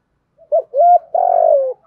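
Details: Spotted dove giving a giọng thổ coo: a short clipped note, a steady held note, then a long rough drawn-out coo that slides slightly downward, low and hollow in tone.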